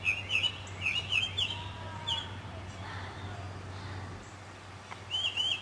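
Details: Spring song of a Northern mockingbird in a South Carolina city neighbourhood, 2008: bright, warbled phrases repeated several times in fast succession, a pause, then a new repeated phrase, with a constant low hum behind.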